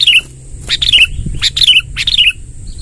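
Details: Sooty-headed bulbul in active song with a long rolling delivery, played to attract wild bulbuls: short bubbly, warbling phrases of two or three quick notes in separated bursts, over a steady thin high-pitched whine.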